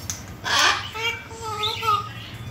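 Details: African grey parrot speaking, giving a few short, voice-like phrases with clear tonal harmonics, the last ones slightly rising, over a steady low hum indoors.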